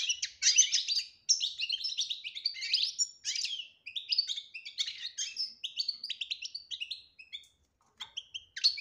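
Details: Goldfinch betbeta-style song with clear whistled elements, for coaxing a silent goldfinch to sing; dense rapid chattering twitters for seven seconds, then a short silence and a few final chirps.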